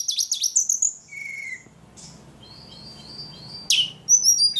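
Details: Ledekan song opening with fast arched high chirps, then thin sustained whistles and a soft buzzy stretch, ending with a loud sharp burst and short high notes.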